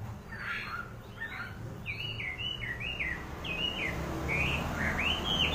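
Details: Wambi bird calling: a series of clear whistled notes, some slurred and wavering, others rising, given at an uneven pace over a steady low background hum.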